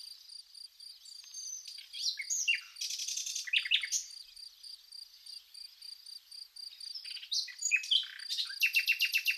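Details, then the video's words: Common nightingale in spring among wildflowers at Zagorochoria, Epirus, Greece, delivering varied phrases: sharp whistles, buzzy rattling bursts and rapid clicking series, while crickets pulse steadily in the background. "Amazing nightingale & cricket song"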